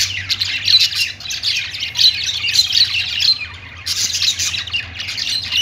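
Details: Budgies singing on a perch, pets kept alongside lovebirds; busy twittering warble with bright squeaks, a short pause near the four-second mark, then chatter resuming, faint low hum underneath.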